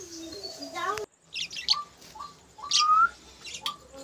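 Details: Caged budgerigar colony at laying time: a man speaks briefly, then short high chirps and a few rising whistled notes come in scattered bursts after a pause.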